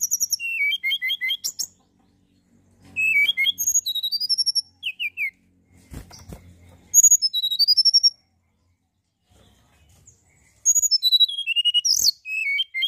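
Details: Mountain tailorbird singing energetically to provoke other birds: repeated bursts of thin, high whistles, each run sliding downward in pitch, separated by short pauses, with faint low knocks in the background.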